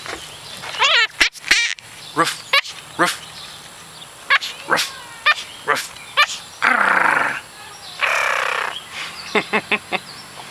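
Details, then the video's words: A Hahn's macaw (red-shouldered macaw), recorded 24 May 2007, barks and growls: a dozen harsh, raspy barks in short bursts, some drawn out into scratchy squawks, while a person coaxes it with spoken 'bark' and 'roof'. "Smart birds may sing, but bad birds bark"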